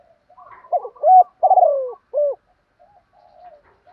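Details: Spotted dove cooing in the thúc gù style while a newly caught bird is trained: faint soft notes lead into a loud stuttered coo, a long sliding falling note and a crisp end hoot, then quiet murmurs.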